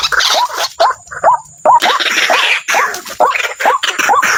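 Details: Repeated short hooked calls of a waterhen, a few per second, with harsher noisy bursts between some notes and a thin high tone in the background.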